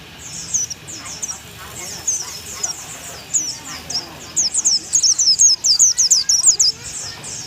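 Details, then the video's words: Thai oriental white-eye, tutor recording in bongkar isian style: scattered high chirps build into a quick, loud, evenly spaced series of sharp piping notes in the second half. "burung pleci unik dari thailand"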